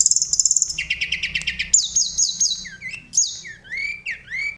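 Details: Sunda robin song meant to provoke other birds to sing: rapid high trill, a run of lower stuttering notes, then a string of clear whistles and upward-swooping slurred phrases, loud and unbroken.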